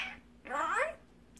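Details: Rescued magpie, taken in as a baby and imprinted on its keepers, mimicking human talk indoors: a half-second voice-like phrase with a falling, harmonic-rich tone, amid repeated words of goodbye.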